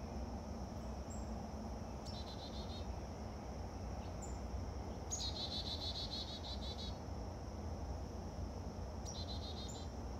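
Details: A chickadee yelling persistently for about a minute: three bursts of rapid, buzzy, stacked dee-like notes, the middle run longest, with brief thin high whistles between, over a steady shrill insect drone and low background rumble.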